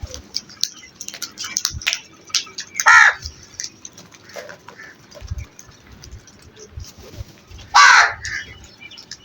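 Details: Crow giving two loud, harsh, hoarse caws about five seconds apart, each short and grating, with quiet ticks and faint low background noise between them.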